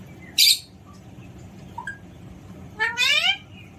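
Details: Pet Alexandrine parakeet giving one loud harsh screech, a quiet pause with faint chirps, then a longer rising, strongly harmonic call.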